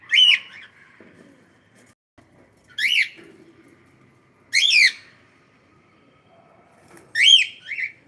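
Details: Cockatiel calling loudly, four harsh rising-then-falling screeches spaced about two to three seconds apart, some followed by a softer short note, in a quiet room.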